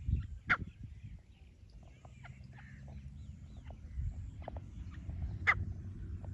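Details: A francolin calling in jungle on 14 December 2024 gives two loud, harsh, scratchy notes about five seconds apart, with a few faint softer notes between, over steady low rumbling background noise.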